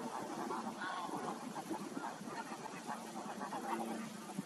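A dense flock of red knots keeps up a steady, overlapping chatter of low, nasal, grunting calls, with no clear gaps between voices.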